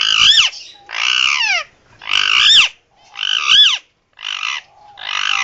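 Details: Indian ringneck, a pet male, screaming emergency sounds: broad, raspy screeches about once a second, each rising then dropping, with near silence between them.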